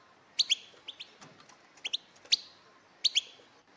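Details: Female European goldfinches giving calls to provoke male song: sharp, high double chirps spaced about a second apart, with faint softer notes between them.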